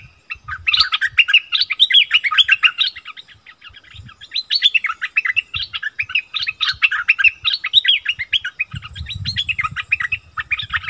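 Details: Wild striated bulbuls locked in an intense argument, 8 February 2021: long continuous bubbling chatter of rapid whistled and trilled phrases, repeated in surges, with a low rumbling background noise toward the end.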